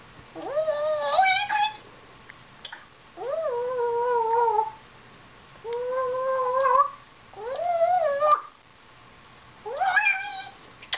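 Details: Pet female African grey parrot, about 14 years old, talking indoors in a small room: five drawn-out harmonic utterances, each rising then wavering, spaced about every two seconds with quiet gaps between.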